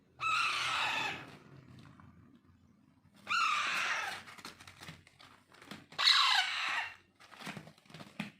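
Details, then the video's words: Unweaned Alexandrine parakeet chicks being hand-fed: three harsh, raspy, drawn-out screeches of about a second each, separated by quieter gaps with soft clicks and feeding noises. "Raw , Pahadi parrot Handfeeding"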